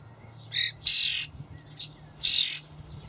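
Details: Young common starlings, fed dried buffalo worms by their parents in a Hamburg allotment garden on 28 May 2012, give harsh, rasping screeches in four uneven bursts over three seconds, over a faint low hum.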